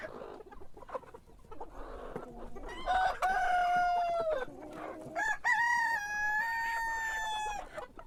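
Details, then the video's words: Rooster crowing in the morning: a drawn-out cock-a-doodle-doo with a strained rising start and long level ending, followed by a second, higher sustained crow, over soft background clucking and murmur. "Sonido de gallo por la mañana // Cock crowing in the morning"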